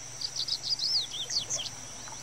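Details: Double-collared seedeater singing a rapid, jumbled run of high, warbling whistles and slurred sweeping notes over about two seconds, with a steady thin high-pitched whine in the background.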